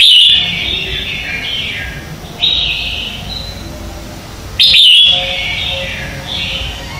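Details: Decoy morning song of a red-whiskered bulbul in competition style: two loud, bright, slurred phrases about four seconds apart, separated by softer whistled fragments and a low background hum.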